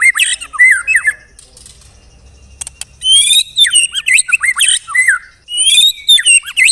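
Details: White-rumped shama in 'tembakan rapat' song style: a varied, rough mix of harsh squawky notes and quick slurred whistles, delivered in three loud bursts separated by short silences.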